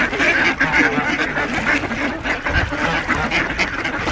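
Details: Ducks crowding in at feeding time on Diss Mere, 17 December 2022, with two geese present; a thick mass of hoarse quacks, many birds calling at once in a rough, pulsing chorus.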